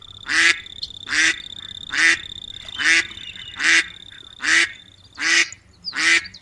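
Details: Steady run of eight coarse, nasal duck quacks at an even rhythm of roughly one every 0.8 seconds, each short and raspy, over a faint constant high-pitched tone and low background hum.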